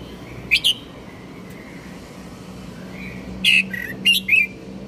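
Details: Red-whiskered bulbul producing a brief chirped phrase, then after a pause a longer run of bright, warbling whistled notes, against a low steady background hum.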